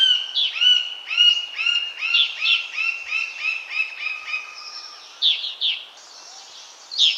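A woodpecker gives a steady series of ringing, slightly nasal notes, about two per second, mixed with sharp upward-swept chirps from another bird.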